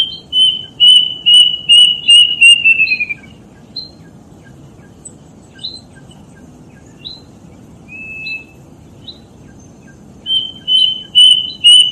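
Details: Plaintive cuckoo song: a descending chain of whistled notes, repeating quickly then slurring downward, followed by a pause with scattered faint notes and a single whistle before the series starts again near the end.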